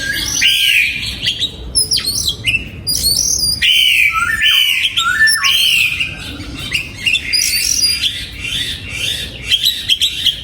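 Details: Loud, rich song of an oriental magpie-robin in a 2022 breeding aviary: strong whistled phrases with slurred, warbling notes that are repeated and varied and separated by brief gaps.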